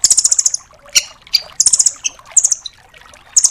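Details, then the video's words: Rambatan doraemon nuthatch in full tembakan, a tutor track for songbirds: fast high trill bursts mixed with single sharp chips and a brief lower note, the phrases broken by short pauses. "MASTERAN BURUNG RAMBATAN DORAEMON FULL TEMBAKAN"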